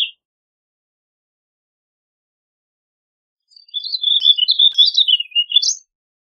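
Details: One warbling vireo phrase after three seconds of silence: a fast, run-on warble of slurred chirps that wanders up and down for about two seconds and ends on a sharp upward note.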